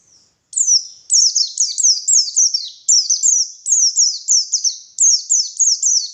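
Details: White-eye, a wild bird, singing in the morning as a lure sound: after half a second of silence, a steady run of high, thin, downward-sliding chirps follows, several per second, with no other sounds.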